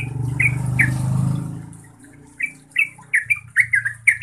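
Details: Yellow-vented bulbul song in gacor style, used to coax silent birds into calling: a few sharp notes over a low rumbling hum, then the rumble fades and rapid bubbly chirps quicken toward the end.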